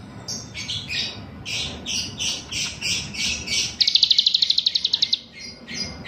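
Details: Grey-bellied bulbul in lively song with learned cicilin material: repeated slurred high phrases about every half second, then a quick burst of a dozen sharp ticking notes, and more slurred notes after.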